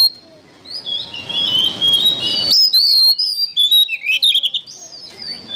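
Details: Training-material song of an oriental magpie-robin: a soft warbling passage builds into loud, clear whistled phrases and sliding notes, broken into quick bursts, over faint background hiss.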